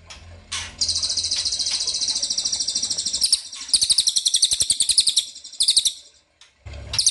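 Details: Ashy tailorbird lure sound to make birds respond: long stretches of quick, high-pitched buzzy notes repeated in rapid rhythm, with brief breaks and a low background hum at the start and end.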